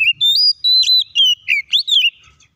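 Oriental magpie-robin singing a rich, varied run of clear whistles, slurred notes and short buzzy phrases, about six bursts in under three seconds.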